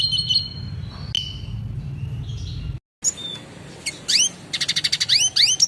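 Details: Red siskin masteran with clear song for caged birds: high twitters and a drawn-out note, a brief silent break, then rhythmic rising sweeps and bright chirps repeated in quick pulses.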